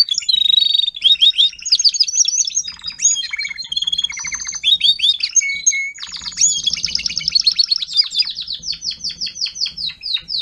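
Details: Caged adult Timbrado canary, 2021, singing as tutor for young canaries: dense varied song with fast rattles, whistled notes and buzzy rolls, ending in a steady series of rapid repeated notes.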